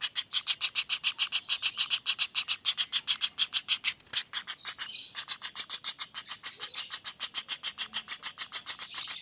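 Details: Common flameback juvenile calling in rapid series: scratchy, high notes repeated about three per second. A brief gap comes near the middle, then the same fast rhythm resumes.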